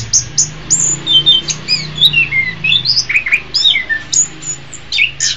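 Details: Orange-headed thrush song used to train other songbirds, ideally in the morning or afternoon: spaced, sliding whistled notes and sharp chirps, rising and falling, over a low steady hum.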